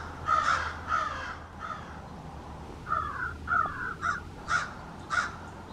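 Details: Small family of American crows in a backyard holding an extended conversation; individual calls differ. A run of harsh caws, first three spaced, then a quicker series of five or six rougher caws.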